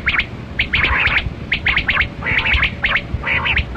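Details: Kali kirak quail during a hunt, giving a dense run of harsh chirps in clusters, several birds or quick overlapping notes, over a constant low background rumble.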